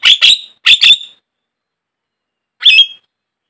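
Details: Lure recording of a Javan myna for caged birds: two quick pairs of hoarse, rasping squawks, then a pause and one more harsh note.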